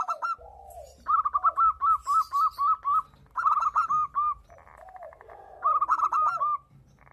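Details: Male local zebra dove in breeding condition duetting with a female: two fast strings of short, bright cooing notes separated by deeper rolling coos, and a shorter third string at the end.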